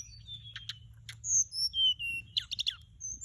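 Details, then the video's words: Hill blue flycatcher song played as a lure: thin high whistles, short clipped chips and a rapid run of stuttered notes near the end, with a steady low hum beneath. "เสียงต่อ นกจับแมลงอกส้มท้องขาว"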